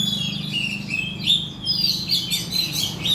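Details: Oriental magpie-robin lure song to make birds sing. Short whistled phrases and clear high notes mix with rapid scratchy chatter, steady throughout, over a low buzzing hum.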